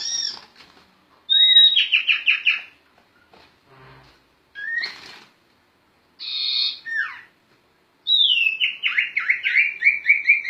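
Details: Sirtu bird singing in lively gacor ngerol style, used as a tutor recording for other songbirds: bursts of high whistled notes, a bright descending trilled phrase, clipped chirps, and a long fast series of falling whistles near the end.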